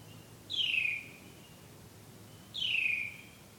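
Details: Night-time love song from a returning bird: two drawn-out whistles sweeping from high to lower pitch, two seconds apart, clean and tonal with little else heard.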